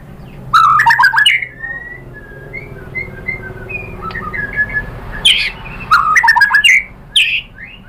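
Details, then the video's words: White-rumped shama lure song meant to make other shamas reply: two bursts of loud chattering, whistled phrases separated by quieter soft whistles, with a steady low hum underneath. "MURAI BATU lain jadi NYAUT ikut BUNYI GACOR BONGKAR MATERI ISIAN ¦ PANCINGAN MURAI SHAMA BIRD"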